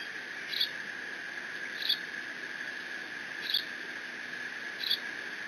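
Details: Decorah nest-cam eaglet, a bald eagle chick mantling its father's fish delivery on 30 June 2017, gives thin high squeaks spaced irregularly about one to one and a half seconds apart against a steady background hum.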